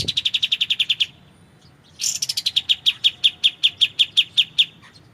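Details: Kapas tembak, the white-shouldered triller, in tutor material for magpie-robins: a fast trill of repeated high notes, a second-long pause, then a rasping start and a longer trill of about twenty evenly spaced notes.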